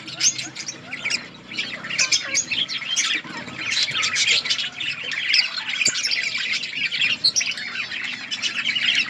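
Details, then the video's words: Budgerigars in an outdoor colony, chirping while eating: a dense chorus of many overlapping scratchy chirps, warbles and squawks from numerous birds, continuous throughout with no pauses. "Budgies parrot eating and chirping sounds budgies birds in budgies outdoor colony"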